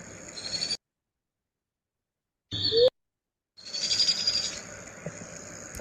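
Shrill, hissy trilling bursts from a Powerful Owl chick begging for food, broken by short silent gaps.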